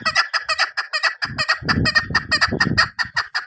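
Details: A female chukar partridge gives a rapid run of harsh, clucking chuk notes, about two per second, with broadband rattling bursts between them.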